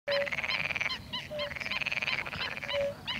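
Black-winged stilts give sharp, nasal yelping notes in quick runs, with a longer, buzzy overlapping chatter, as though several birds are calling together.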